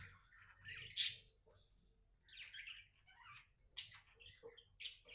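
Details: Happy pet budgie chattering softly indoors, with one loud sharp squawk near the start followed by quieter scattered buzzy chirps and thin whistled notes.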